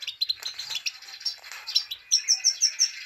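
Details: Female Himalayan goldfinch 'pit pit tak' call used to excite males: busy high twittering, then a neat series of five sharp, bright chirps repeated evenly at the end.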